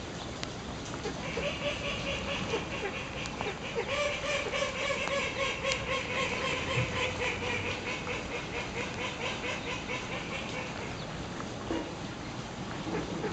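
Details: A mother Ringed teal with eight chicks at Kobe Kachoen park gives a run of reedy, harmonic notes about twice a second, with higher peeps over a busy background of other birds and park noise.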